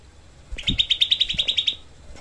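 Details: Rapid, harsh 'tembakan' burst from a grey-cheeked bulbul, used for training songbirds: one dense trill of about twelve sharp, high, chattering notes, with a soft thump at its start.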